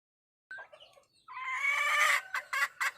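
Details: Wild hen calling the rooster in 2021: a short faint note, a pause, then a loud harmonic rising squawk followed by three clipped clucks.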